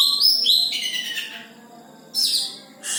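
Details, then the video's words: Oriental magpie-robin song of bright whistled notes sliding downward, a short pause, then another loud burst of bright notes near the end. "Burung Kacer sudah mulai mantap suarae"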